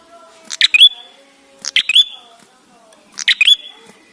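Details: Ashy tailorbird, red-headed type, singing for use as a lure to prompt other birds to sing: three phrases, each a quick burst of sharp clicks ending in a rising whistle that trails off, about one and a half seconds apart.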